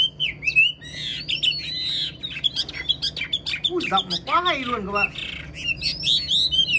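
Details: Caged old wild-caught Chinese hwamei with a fine singing voice pours out a rich jumbled song of rapid slurred whistles and sharp chips. A lower, harsher drawn-out call with stacked harmonics breaks in midway, over faint indoor hum.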